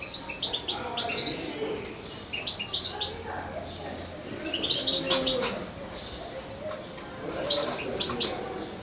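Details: Hand-reared European goldfinch, nearly two months old and syringe-fed when younger, twitters in quick bursts of high chirps while a low human voice murmurs in the background.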